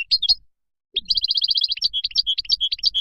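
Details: Goldfinch wild song for training young birds. A couple of sharp chirps, a pause, then a long, lively run of rapid repeated tinkling notes mixed with slurred twitters.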